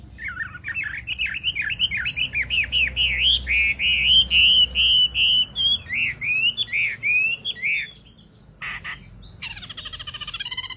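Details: Female Chinese hwamei singing to stimulate a male, with a long rapid series of rich whistled phrases, each note swooping and rising, delivered steadily for eight seconds before a pause and a few harsh notes.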